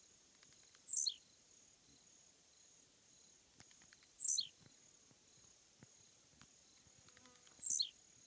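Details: Blue-black grassquit on a roadside fence, giving short, thin, buzzy songs that slide steeply downward from very high pitch, three in the clip, roughly every three seconds, with faint ticking and insect-like hiss between.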